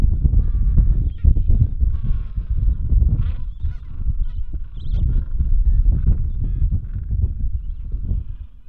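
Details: A Gentoo penguin just back from feeding at sea "sings" with its mate to find their nest at the Bull Roads colony, Falklands, before they swap places and it feeds two-week-old chicks; harsh, honking brays in rapid pulsed bursts over heavy low wind rumble.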